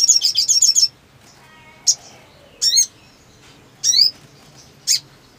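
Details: Black sunbird singing in breeding mood: opens with a fast stuttering series of very high notes, then spaced sharp chips and richer twittering phrases over a faint background hum.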